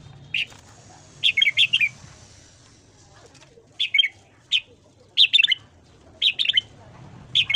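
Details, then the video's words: Red-whiskered bulbul in morning song, recorded for voice training in the 'hót ché' style: short clusters of lively, bouncy whistled notes, two to four per cluster, repeated every second or so with brief pauses between. "luyện giọng chào mào hót sáng"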